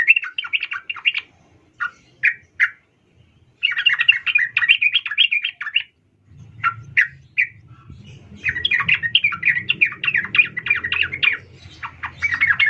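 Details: Female sooty-headed bulbul, known locally as trucukan, calling to a male, used as a lure to make males sing; bursts of quick, bubbly chirping notes in rapid runs, separated by short pauses, over a low background rumble in the second half.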